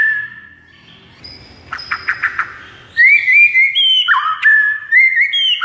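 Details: A white-rumped shama (murai batu) sings a soft whistle and a few rough chips, then strong whistled phrases that jump between high and lower notes, each held briefly before the next.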